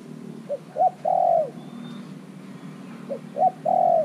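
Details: Caged spotted dove, kept three months, used as a decoy to call wild doves. It gives two cooing phrases, each a short low note, a louder note, then a long drawn, slightly falling purr, over steady background hum and a faint high whistle.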